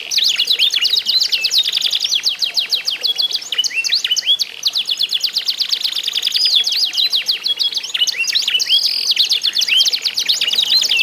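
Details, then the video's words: Canaries compete in song to set other canaries singing. A long unbroken stream of fast trills, chattering chirps and short whistled slurs stays loud and high throughout. "ADU GACOR KENARI ISIAN"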